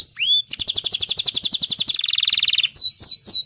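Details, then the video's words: Lively canary tutor song for young or silent canaries: a single looping whistle, a bright rapid trill of repeated notes, a lower rolling trill, then three sweeping whistled phrases. "Kenari GACOR masteran burung kenari paud dan kenari MACET bunnyi"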